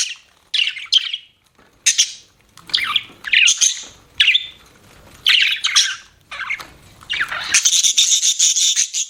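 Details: Pet budgerigar chirping in bursts of bright, scratchy warbles and squeaky notes separated by short pauses, ending in a dense run of high chattering.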